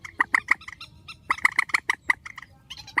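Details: Grey-headed swamphen calling strongly: dense, uneven runs of short honking notes with softer squeaky notes mixed in, nearly continuous over three seconds.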